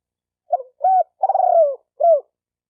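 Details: One spotted dove phrase meant to stimulate decoy birds, male and female: two short notes, a long vibrating, slowly falling coo, then a final short downward note, all low and mellow, with silence around it.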